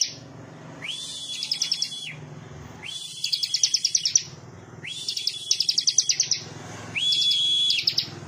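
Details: A Bar-winged prinia in partial full song sings four bright phrases about two seconds apart, each a quick rising whistle followed by a rapid run of sharp, high chips.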